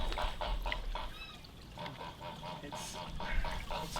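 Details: Domestic goose calling beside a garden fish pond on a chilly day, kept alongside ducks; a run of short nasal honks repeated several times a second, with splashing and outdoor background noise.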